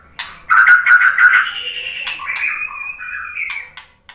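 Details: Murai batu lure song: a loud rapid rattle of repeated notes opens into a long, wavering, slightly buzzy whistle that holds steady before fading.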